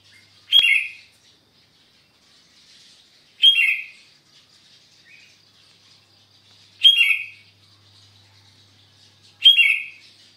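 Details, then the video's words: Sooty-headed bulbul (kutilang) singing vigorously, gacor style, on a Sunday morning at Sukanegeri, OKU Timur: four loud, bright, slurred phrases with sharp starts, roughly every three seconds, over faint background chirping. "KUTILANG GACOR, SUARANYA BIKIN SENANG"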